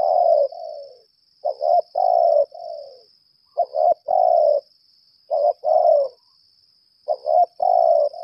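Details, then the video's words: Spotted dove used as a trapping decoy, lambung kuk type, gives repeated challenge phrases. Each phrase has two quick clipped coos, then a long husky coo and a softer tail note, about every 1.7 seconds. A faint high hum is steady. "Ternyata pikat ini pandai juga berl4g4"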